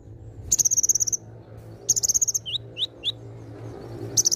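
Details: Singing olive-backed sunbird (konin) with varied imitations: a fast, high, rattling trill, a second trill after a short pause, then three separate swooping chirps, and a final trill starting at the end.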